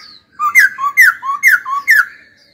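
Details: Laughingthrush song during training, with four quick two-note whistled phrases in a row. Each phrase steps from a lower note to a higher, sliding note at a brisk, even pace.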